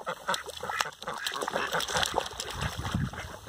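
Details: Rouen ducks at a breeding farm giving dense, harsh quacks that overlap almost continuously, with several birds calling at once and a low rumble underneath.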